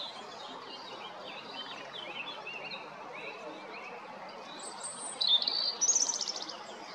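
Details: European robin singing at Jarun, Zagreb, Croatia, on 13 April 2022: faint, thin high warbling through most of the recording, then a louder trilling, twittering phrase near the end.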